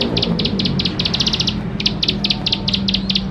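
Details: Lively full song of a bar-winged prinia, played to coax young ciblek sawah into singing sooner: short runs of rapid, high, sharp clicking notes, broken by brief pauses.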